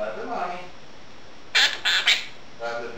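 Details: Female Quaker parrot kept as a pet, talking indoors while dishes are washed; soft murmuring, then three quick harsh, buzzy syllables and a quieter trailing phrase.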